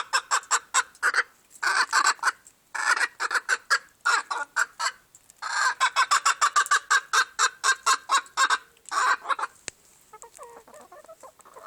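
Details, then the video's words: Silver Appenzeller chicken making noise, a rapid run of loud harsh clucks and squawks in bursts with short pauses, tapering to quiet at the end. "Silver appenzeller chicken making noise"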